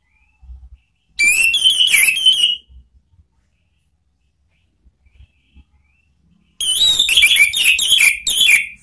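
An orange-headed thrush sings two loud bursts of rapid, varied whistles and chattering trills, high and jumbled, separated by a long quiet gap.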